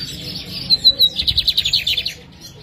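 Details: Caged lined seedeater in Jataúba, Pernambuco, Brazil, recorded on a Friday afternoon at 3 pm, 11 November, while preparing for a morning field contest. It gives a high whistled lead-in, then a fast run of about ten buzzy repeated notes.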